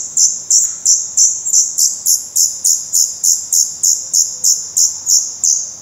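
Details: Black redstart chicks calling in their nest, Portugal, mid-May 2020, recorded close by; a fast, steady stream of shrill high squeaks, about seventeen in six seconds, almost continuous and rhythmic.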